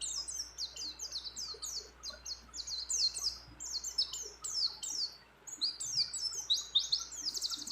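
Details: Breeding-condition female mountain white-eye calling to a male, delivering a continuous run of quick, high, downward-slurred chirps in dense repeated bursts with barely a pause.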